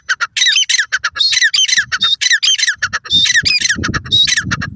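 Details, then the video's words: Sofad dakhni teetar, the white francolin, calling nonstop with harsh squawks and rasping falling notes packed closely together, faint low rumbling noise underneath in the second half. "white francolin bird speaking,sofad dakhni teetar awaaz"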